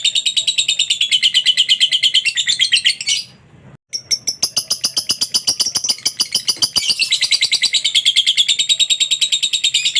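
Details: Lovebird song recorded indoors as a training track meant to get other lovebirds singing: dense, high, rapid chattering with buzzy trilled phrases, continuous apart from a brief silence around the fourth second, then the chatter resumes.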